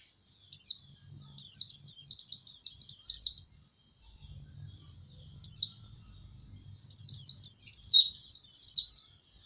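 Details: Seasoned white-eye singing: bursts of rapid, high, sharp chirps that slide downward, strung into quick chattering runs with a short pause between bursts. Faint low rumble underneath.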